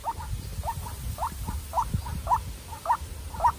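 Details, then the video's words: A young captive-raised decoy White-breasted waterhen, set out against a wild bird in a fierce contest, gives short, mid-pitched upslurred notes repeated steadily about every half second, over a low rumbling background. "Quốc Mồi Tơ Ra Trận Gặp Bổi Rừng Đấu Cực Căng"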